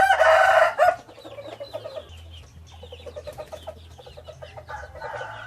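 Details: Hybrid junglefowl rooster crowing: one loud, harmonic, slightly wavering crow lasting under a second opens the clip, followed by quieter, rapid clucks and scratchy background chatter with a steady low hum.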